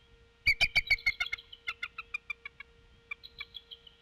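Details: At night, 23:00, 23 April 2016, a female bald eagle guarding the Decorah N2B nest on infrared camera calls in alarm after a disturbance: a rapid string of shrill, squealing notes that gradually weaken and slow, then a shorter closing series.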